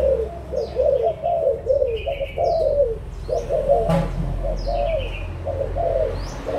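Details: Adult spotted doves, Malaysia and Thailand birds, recorded 16 March 2022: continuous overlapping low cooing, soft and throaty, while small birds add short high chirps and a brief loud knock sounds midway.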